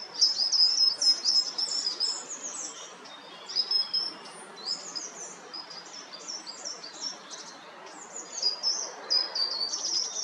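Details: Short-toed treecreeper, coastal forest at Taramancos beach near Noia, Ría de Noia: continuous thin, very high notes and brief twittering runs, rising and falling in loudness, with a steady hiss behind.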